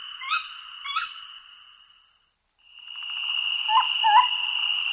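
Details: Tawny owl (Strix aluco), call.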